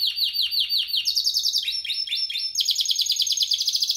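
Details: Spanish Timbrado canary from a 2017 breeding line singing a fast metallic song: rapid repeated trills in quick series, shifting between higher and lower tours, each phrase a rattling burst of notes, no other sounds.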